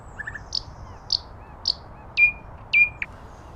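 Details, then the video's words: Common nightingale singing in nature: three sharp high chips spaced evenly, then two louder falling whistled notes and a final short note. "Beautiful Nightingale Birdsong"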